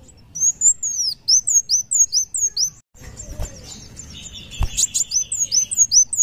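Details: A kolibri wulung sunbird sings steadily: rapid series of high descending whistled notes, interrupted midway by a rustling, clattering noise before the fast repeated notes resume.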